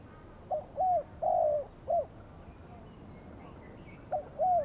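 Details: Decoy spotted dove calling at a trapping spot on a Saturday, where a wild dove soon joined and was caught: a loud coo phrase of short, short, long and short notes, then a fresh phrase starting after a pause.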